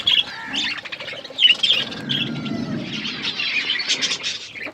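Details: Budgies calling with scattered sharp chirps, short whistled slides and raspy squawks over softer background chatter, plus a low rustling murmur.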